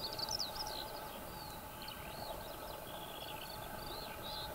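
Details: Eurasian skylark (Alauda arvensis arvensis) singing on the ground: a fast, unbroken stream of high chirps, trills and slurred whistles over a steady low rumble of background noise.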